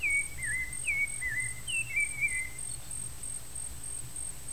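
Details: Nestling Rufous-bellied thrushes being fed by both parents, Brazil: several quick, thin, falling chirps in a burst lasting about two seconds, then quiet, with a constant high buzzing drone and low background rumble.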